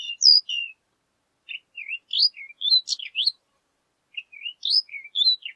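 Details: Horned lark, also called shore lark, singing a high, tinkling jumble of short chirps and twittering notes in two bursts separated by a short pause, on a quiet background.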